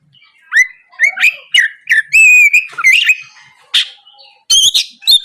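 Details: Oriental magpie-robin singing in the morning as a lure for rivals; rising whistled notes, a held whistle, then a harsh rasp and high sharp notes.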